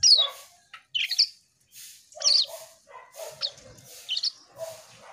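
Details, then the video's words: Asian pied starling giving energetic song of grating, chattering notes and squeaky high bursts, roughly one phrase per second, with brief silences between them. "Burung cucak Keling Gacor"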